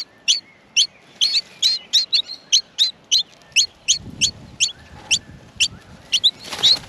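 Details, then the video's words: Baby Australian miners begging in their nest during feeding, giving bright, high, clipped chirps about twice a second, steady at first and then crowding together into a dense, louder cluster at the end. "Australian Minor baby birds in the nest feeding"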